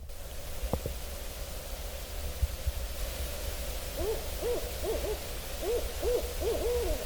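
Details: Owl in autumn woods near a tree stand, recorded on September 30 or October 1, 2024. Low noise fills the first half, then a run of short, arched, low hoots repeats quickly through the last three seconds.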